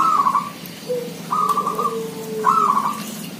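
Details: Many village zebra doves calling: three quick trilled coo phrases in succession, each under a second, separated by soft low whistled tones that drift slowly down.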